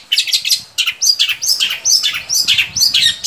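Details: Long-tailed shrike singing, used to get caged shrikes to sing: a fast run of harsh, scratchy, chattering notes, several per second, interspersed with short, high, whistled slurs.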